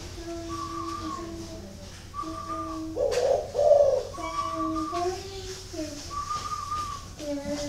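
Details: Caged spotted dove at a bird breeder's aviary in Ba Vì district, Hanoi, northern Vietnam, giving a short, low, throaty cooing burst mid-clip, among steady tonal whistles from other birds and faint background murmur.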